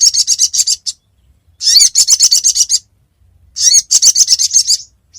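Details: Sogon calling as a lure for trapping, in three phrases: each opens with a loud rasping burst followed by a quick string of sharp, high chattering notes, separated by short silences.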